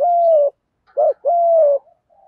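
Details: A spotted dove cooing in thổ thúc gù style, used to spur newly caught doves. Two long, even, low coos with a short rounded hoot between them.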